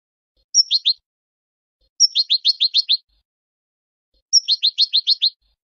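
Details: Moroccan goldfinch song in three bursts, each a high whistled note that breaks into a rapid string of bright, twittering chirps lasting up to a second, separated by brief silences.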